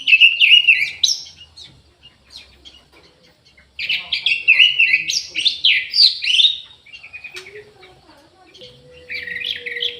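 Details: Orange-headed thrush singing vigorously in an aviary: bursts of fast, varied whistles and warbles, quick note after note, separated by quieter gaps, with a faint low hum near the end.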